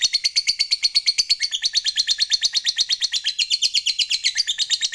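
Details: Fighter lovebird in full 'ngekek panjang', the long chatter that provokes rival birds: a dense, grating trill of rapid high pulses repeated evenly throughout, without pause.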